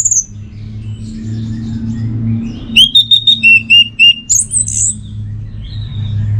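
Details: Orange-headed thrush song used as a training and lure recording for the teler style: a low mechanical hum throughout, then a burst of short whistled notes repeated on one pitch, ending in a high slurred phrase.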